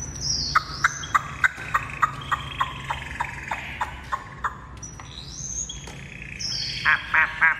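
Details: Fully tame Chinese hwamei kept as a cage bird and fed by hand: about a dozen sharp, rhythmic notes, then bright high whistles and fast trilled bursts, with a man talking and laughing nearby.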